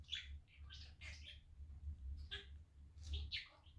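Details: Cheerful talking budgie, a male kept as a pet, playing all day on a sunny day; short bursts of buzzy, scratchy chatter in two groups separated by a brief gap, low hum behind.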